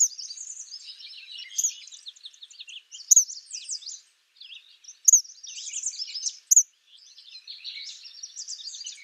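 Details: A wild Eastern kingbird gives high, sputtering, electric twitters and chatter, with sharp buzzy zeer notes bursting out every second or two.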